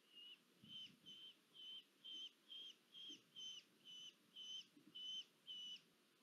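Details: Female red-footed falcon making food deliveries at a Hungarian nest in Polgár, 1 August 2022: eleven clear, high, evenly spaced notes in a rapid repeated series, with little other sound.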